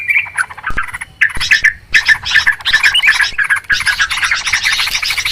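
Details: Agitated chattering of Yellow-vented Bulbul used to lure birds for trapping: bursts of harsh, buzzy notes separated by short gaps, growing into a thicker scolding jumble.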